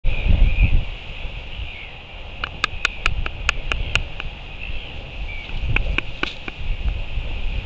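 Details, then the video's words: Royal albatross at its nest on the morning of May 31, 2023, clacking its bill at a black-backed (kelp) gull scavenging dropped food: two bursts of sharp, dry, rapid knocks, about a dozen in all, over wind rumble with faint distant bird calls. "Royal Albatross Clacks At Scavenging Black-backed (Kelp) Gull"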